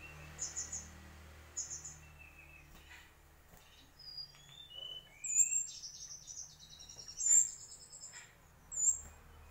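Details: Mangrove whistler delivering high whistles and slurred rising notes, with sharp emphatic high notes recurring every couple of seconds against a quiet rumbling background.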